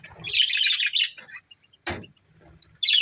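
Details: Budgerigar breeding pair chirping: dense buzzy warbled chatter in the first second, then scattered short chirps and a sharp burst near two seconds, ending with another buzzy flurry.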